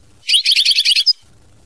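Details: European goldfinch giving a 'mama binette' song phrase: a dense, buzzy, rapidly pulsed burst of high twittering notes about one second long, ending in a sharper clipped note.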